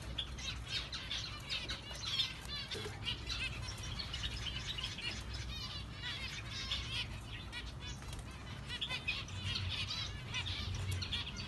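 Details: Orange zebra finches; several chatter nonstop in a dense flurry of high, nasal, buzzy chirps, with low hum and wing flutters underneath.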